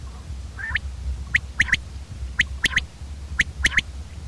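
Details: Common quail giving clipped three-note call phrases, each note a short sharp whistle-like pip, with about one phrase per second over a low background hum.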